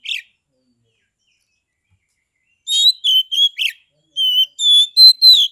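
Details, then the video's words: Captive Oriental magpie-robin from Kebumen, Central Java, singing in the loud ngeplong style used to provoke rival magpie-robins to sing and fight. One short note, a pause, then a quick run of about eight clear, high whistled notes, some sliding or buzzy. "KACER TIPE PANAS / DINGIN PASTI AKAN NYAUT GACOR, MERESPON SUARA KACER NGEPLONG INI"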